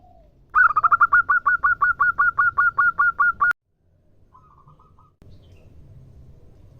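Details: Female local zebra dove calling to a male, a rapid string of sharp cooing notes settling into a regular beat, followed by a quieter distant echo of similar notes.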